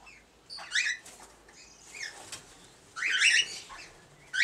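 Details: Breeding pair of red-winged parrots, two years old, with first-brood young aged 20 days. Short harsh squawks come in separated bursts, a loud grating cluster midway, and a sharp call at the end.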